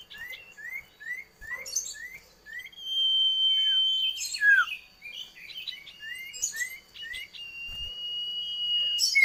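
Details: Common iora song: a run of short rising whistled notes repeated about twice a second, then a long steady drawn-out whistle lasting several seconds, more clipped notes and chatter, and another long level whistle at the end; a faint steady high tone persists behind.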